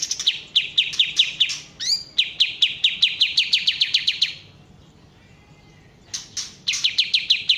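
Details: Bulbul known as kapas tembak delivering rapid bright chips, interrupted by an upward-sweeping whistle, then a long chipping series, a quiet pause and a final burst.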